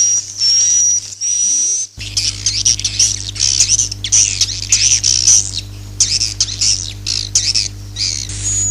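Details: Swiftlet roosting call used to lure birds into nest houses, 2022: two long thin whistles, then rough squawking chatter with pure whistled notes mixed in, over a constant low hum.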